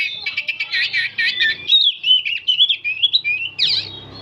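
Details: Continuous song from an old oriental magpie-robin, a dense rush of fast chattering notes flowing into clear slurred whistles and a final rising squeak.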